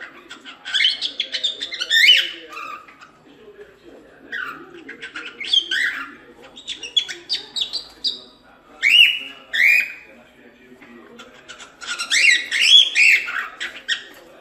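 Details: Cockatiel singing its natural song, meant for training young chicks: bursts of bright warbled whistles and chirps, some rising, others falling, in groups of several notes separated by short pauses.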